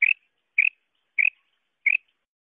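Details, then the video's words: A female quail, its voice used for hunting, gives four single short, slightly rising high notes. They are evenly spaced about every 0.6 seconds in an otherwise silent setting. "Femail bater|mada bater|madi bater|best quail voice|quail hunting voice"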